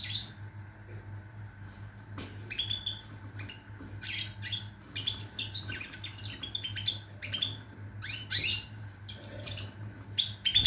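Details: Goldfinch song from 22 September 2023: a long rambling series of quick twittering and chirping notes with short gaps, over continuous low background hum.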